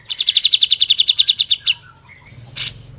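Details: Training recording of a grey-cheeked bulbul in full song: a fast, even trill of about fifteen bright high notes, a soft trailing twitter, then one loud harsh note.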